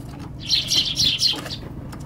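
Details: A Eurasian tree sparrow on a balcony on 15 January 2021 suddenly flees, giving a quick burst of high, dry chirps over about a second, with a soft flutter of wings as it leaves.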